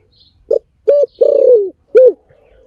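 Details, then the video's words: One phrase from a spotted dove: a brief coo, a level sustained coo, a drawn-out descending coo and a final short coo, clear against a quiet background. "เสีนฃยงนกเขาใหญ่! เสียงนกเขา mp3! เสียงนกเขาใหญ่!! เสียงต่อ!"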